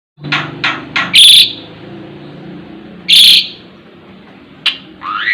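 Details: Asian pied starling singing: a few short rasping notes, then two loud, piercing whistled bursts about two seconds apart over a low murmuring background, ending with a rising whistle.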